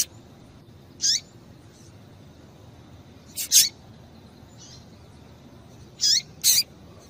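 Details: Calling female double-collared seedeater, played to warm up a male that is cold. She gives thin, high, sharply descending chirps, some doubled, separated by pauses of one to three seconds.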